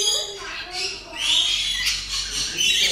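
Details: Shrill, buzzy rainbow lorikeet chattering that runs almost continuously, with a few thin whistled notes set among the harsh screeches.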